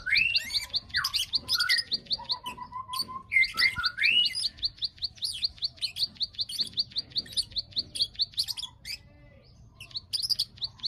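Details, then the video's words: Bar-winged prinia lure call meant to trigger breeding condition: a long series of rapid high-pitched clicks, opening with lower slurred whistles from another bird and breaking off briefly near the end. "pancingan burung klik klik agar birahi"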